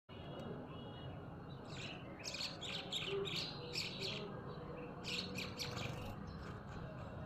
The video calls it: bulbul bird sound